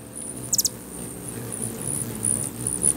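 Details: Feeder-defending hummingbirds in Bigfork, Montana: one quick triple chirp, sharp and very high, followed by fainter continuous high twittering over a low humming of wings.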